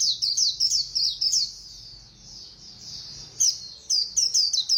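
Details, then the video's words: Fast 'líu' song of a white-eye: quick bursts of high, sharp, tumbling twitters open the passage, then a softer continuous high warble, then rapid chattering notes return. "Khuyên Líu Hay _ Mau Mỏ _Tốc Độ _Tiếng chim Khuyên Líu"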